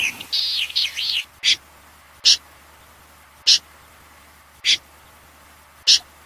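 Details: Common snipe recorded in 2020: an opening stretch of wavering, wheezy high sounds, then single sharp, rasping calls spaced roughly a second apart against quiet hiss.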